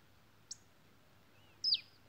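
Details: Pileated Finch song with the bird's own intervals: a single sharp high chip, then after a pause a thin, quickly falling sibilant note; a quiet background hiss is all else.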